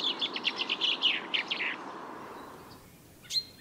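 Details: Common Chaffinch song: a rapid run of clear notes stepping downward and ending in a lower flourish, then quiet with one short high note from another bird near the end.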